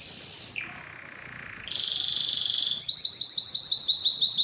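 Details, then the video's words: Canary song aimed at getting canaries singing and mating. A high whistle drops into a low buzzy roll, lifts to a steady tone, then turns into a quick, regular trill of bright rising notes. "علاج صمت الكناري: أسمعه هذا المقطع وسيبدأ بالتغريد فوراً | Make Your Canary Sing"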